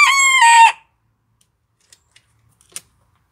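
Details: Antwerp Bearded Bantam rooster crowing: a short, strained crow under a second long, then near silence with a few faint clicks and a small knock.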